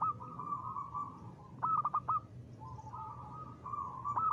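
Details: Local zebra dove singing with a ngristal voice: long, steady coos broken by a short burst of quick, stuttering notes near the middle. The bird is faint against a rumbling background hum.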